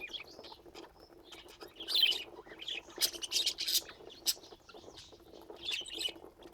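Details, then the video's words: Pet budgerigars chattering in a bright, busy stream of scratchy warbles, clicks and sharp chirps, with louder bursts of noisy, broadband chatter recurring every second or so over a quiet background. "Laughing Budgies"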